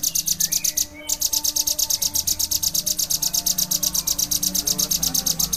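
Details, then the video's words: Bar-winged prinia in full ngebren song, a fast drilling delivery: high, metallic ticking notes repeated nearly three times a second for several seconds, briefly interrupted once, over low background hum. "Burung ciblek gacor ngebren - kicauan burung"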